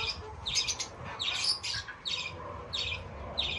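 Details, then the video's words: Fischer's lovebirds calling in quick bursts of shrill, buzzy chirps, clustered in groups with short gaps between. "طيور الفيشر"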